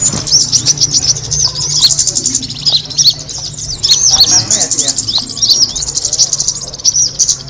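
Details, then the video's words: Kemade bird call used to attract birds: a dense, continuous stream of high, thin chirps and twitters, overlapping and rapid, over a steady low hum throughout. "the sound of the kemade bird attracting noise"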